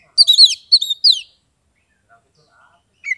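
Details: Oriental magpie-robin (kacer) owned by a keeper in Kebumen, Central Java, Indonesia, in ngeplong song. Three fast whistled bursts with downward slurs open the phrase, followed by near silence and a faint closing whistle.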